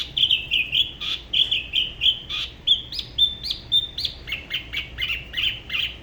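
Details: Solo song of a spot-throated babbler, La Ba river near Da Lat, Vietnam, sung differently from other regions: quick bright whistled notes repeated about every third of a second, shifting to higher upslurred whistles and then rapid downslurred chips.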